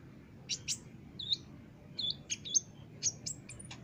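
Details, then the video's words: Olive-backed sunbird singing energetically on a master recording used to train caged birds: sharp, high, thin chirps and short twittering notes in separated bursts, roughly two per second, over a low steady background hum. "masteran burung konin gacor dor"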